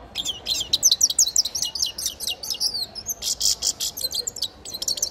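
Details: Nestling grey-crowned goldfinch singing continuously, a fast tinkling twitter of high, clipped notes with a short buzzy burst midway.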